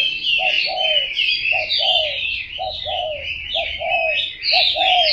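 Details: Spotted dove cooing steadily: a brief low note followed by a longer, slightly falling hollow coo, repeated about once a second, under a dense chorus of loud, high-pitched chirps and twitters from other birds.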